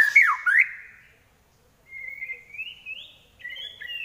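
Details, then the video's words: Trek song of a White-rumped shama with a shrill, piercing voice: a loud swooping whistle dipping and rising, a pause, then slurred whistles climbing higher in steps and ending in a warbled double-note phrase. "Trek Murai Pastol Suara Nyelit"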